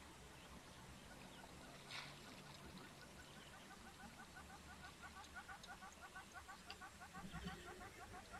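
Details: Distant red-billed hornbill, as a guide suspects, at an African waterhole on 19 November 2024, giving a fast series of clucking notes, about three a second, over steady outdoor background noise.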